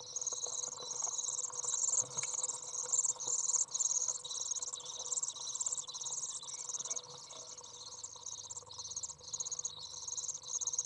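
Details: Common Swift young out of the nest, recorded 27 June 2011 on a very hot 30°C day as a parent comes in to feed; a steady stream of high, thin, buzzy trills pulsing roughly twice a second, briefly quieter midway.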